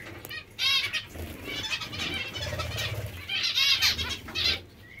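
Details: Several hungry zebra finches call over one another in rapid nasal, harmonic beeps and chatter, with two louder bursts and a low hum underneath.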